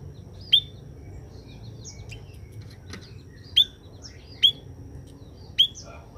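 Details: {'caption': 'Scaly-breasted munia following its sunning: four sharp, high, clipped notes given singly at irregular intervals, with faint softer chirps between them and a steady low hum.'}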